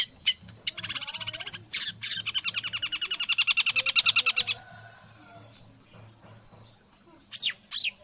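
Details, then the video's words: Long-tailed shrike, caged, singing shama-style material: a fast, dense rattling trill of buzzy notes lasting several seconds after a few harsh opening notes, then quiet, ending with two loud sharp calls. "Burung cendet isian murai batu"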